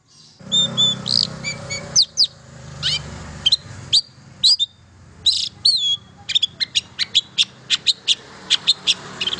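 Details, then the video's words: Long-tailed shrike singing, a recording meant to get silent shrikes singing: bright whistled notes and clipped chirps delivered in quick irregular series, some buzzy, over a low background rumble early on. "KICAU INI AMPUH MERANGSANG CENDET BISU JADI GACOR"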